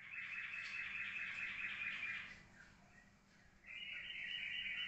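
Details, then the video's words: Yellow-vented bulbul pours out a fast, bubbly, chattering song, breaks off briefly after about two seconds, then resumes with a brighter run of notes. "Trucukan Ropelan pasti dan kalem"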